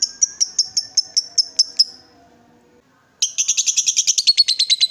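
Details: Lovebird, excited and provoked into calling, giving ngekek: a short run of shrill evenly spaced chips, then a pause, then a fast harsh high-pitched rattling chatter with very rapid pulses.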